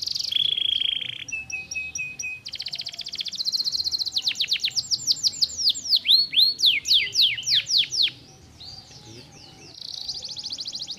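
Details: Canary singing a stimulating song: a loud, varied run of fast rattling trills, rolling buzzy phrases and rapid high downslurred whistles, with a brief quieter pause before a final rapid trill.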